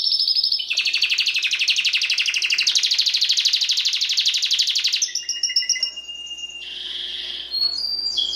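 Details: Timbrado canary, a domestic singing breed kept as a pet, in song: a long rapid rolling trill of evenly repeated notes, then a break into shorter buzzy phrases and a steady high whistled tone near the end.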